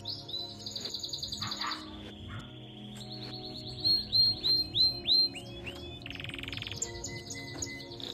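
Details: Belgian canary song: long steady whistled notes, a rolling lower phrase, then a run of loud sweeping chirps and a fast buzzy trill, with soft music underneath.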